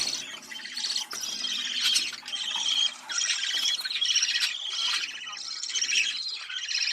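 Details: Budgerigar mating call to stimulate breeding: steady, buzzy warbling with whistled harmonic notes and a few squeaky accents, running almost without pause.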